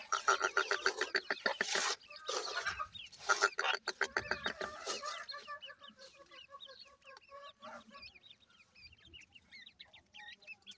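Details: Grey francolin chicks, an Irani grey francolin type: rapid pulsed, rasping notes at first, then a scatter of short high peeps and chirps from several chicks, with clicks and knocks in the background.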